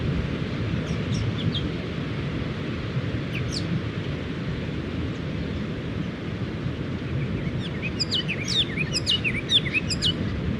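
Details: Two Striated Pardalotes in one bush, preening and calling, in beach dunes on the Mid-North Coast of New South Wales, Australia, where they burrow to nest. A few sparse high chirps early on, then a rapid cluster of sharp high notes near the end, over steady surf.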